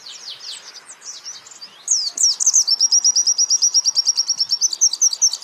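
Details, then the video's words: White-eye singing in a training recording for songbirds: soft high twitters build into a loud, rapid trill of evenly repeated sharp notes, about three per second-fraction, lasting several seconds. "pleci Jawara Pake Masteran ini jamin Geter-GETER"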